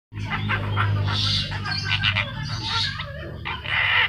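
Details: Newly bought Javan myna, caged at home, chattering energetically: harsh, raspy bursts and squeaky notes in quick succession, over a steady low mechanical hum.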